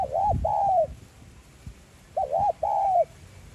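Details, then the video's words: Spotted dove, 'giọng son' voice, cooing to rouse decoy birds: two matching phrases, each a hooked double coo followed by a long, flat then falling drawn note, separated by a short gap. "Cu gáy GIỌNG SON Gáy Gọi + Thúc kích bổi nhanh nổi|Tiếng cu đất gáy kích mồi tập bổi hiệu quả"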